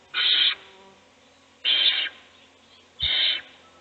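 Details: Inside an owl nest box during a feeding, with the other chicks asleep: three rasping, broadband screeches about half a second each, separated by pauses of about one and a half seconds.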